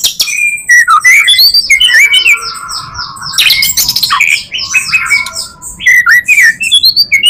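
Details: White-rumped shama in full varied song, used as a lure for other shamas: fast whistled slurs mixed with harsh squawking notes and high ringing tones, continuous and loud.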